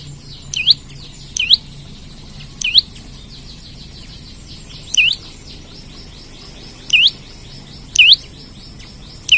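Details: Olive-backed tailorbird singing to attract and challenge other birds: seven piercing upswept notes at irregular intervals, with a faint continuous twittering of other small birds behind.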